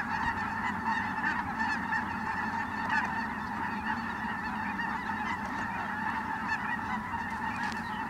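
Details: Ross's geese (Anser rossii) flying in at Merced National Wildlife Refuge on 22 December 2017, a flock giving a dense, continuous chorus of short, high, squeaky honks and cackles with no pauses.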